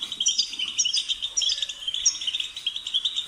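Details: A European goldfinch sings a steady, fast twittering song of bright chirps and tinkling trills, barely pausing throughout.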